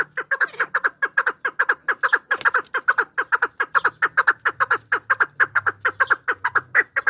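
A chukar partridge gives a fast, steady run of harsh, clucking chuk notes, several each second, over a faint low hum.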